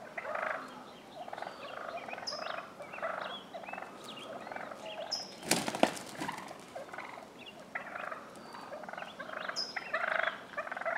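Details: Tom wild turkeys fighting in a neighbor's front yard in Willits, Mendocino County, California, other toms worked up, giving rapid rattling gobbles and harsh clucks in overlapping bursts, a loud scuffling crash midway and a few high chirps.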